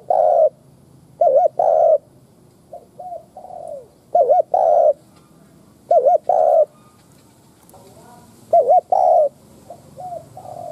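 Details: A decoy spotted dove coos in low, mellow phrases of two or three soft notes, repeated every second or two, with faint background hiss; its call is meant to provoke other doves into cooing.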